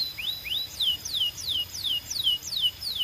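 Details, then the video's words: A Belgian canary sings, repeating clear, high sweeping whistles about three times a second, each note rising then falling, in a steady rolling phrase. "Impossible If Your Canary Does Not Immediately Sing‼️ Belgian Canary"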